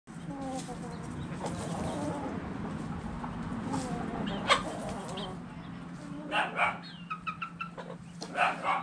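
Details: Chickens and roosters dirt bathing: a low, murmuring run of soft clucks through the first half, then sharper, louder clucks in quick bursts toward the end, over a steady low hum.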